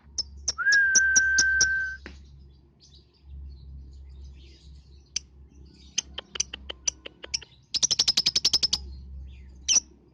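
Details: Lovebird song used as a lure for young birds under five months: scattered high chirps, a long steady mid-pitched tone early on, then a dense rapid chattering trill near the end and a final squeak.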